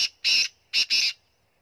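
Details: Black francolin, the kala teetar of Punjab, delivering a loud grating phrase: a clipped note, a long harsh buzz, a short gap, then a quick note run into another drawn-out rasp, all within about one second, with silence after.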